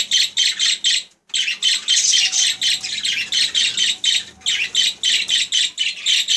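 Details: Budgerigar warbling in a steady pulsing rhythm of about four harsh, high notes per second, with one brief pause near the start.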